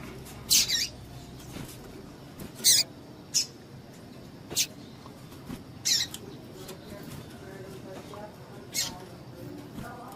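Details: Short high-pitched chips from a female double-collared seedeater, given to stir up males kept for singing tournaments; roughly seven abrupt piercing notes at uneven intervals against a low steady hiss.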